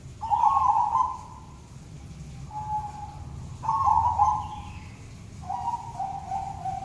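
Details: Tame white zebra dove with red eyes, singing actively: rolling, burbling coos in two phrases, a longer vibrating coo followed by a shorter steady note, repeated twice, over a low background rumble.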